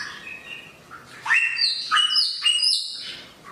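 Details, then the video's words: Samyong bird with a sharp voice giving a few quiet notes, then four loud, up-swept, squawky harmonic calls about half a second apart. "burung samyong suara pedas"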